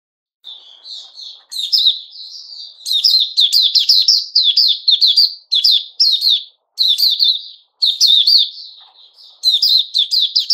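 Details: White-rumped shama recorded 29 August 2021: short bursts of sharp, chattering notes with bright whistled tones, in phrases separated by brief pauses and softer quiet warbling between them.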